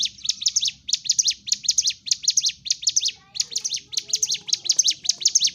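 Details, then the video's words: Sunda warbler in aggressive, fighting-style singing used to rouse silent birds: rapid high chirp bursts, a brief pause after three seconds, then the chirps resume just as fast. "CIGUN / CIBLEK GUNUNG GACOR TARUNG"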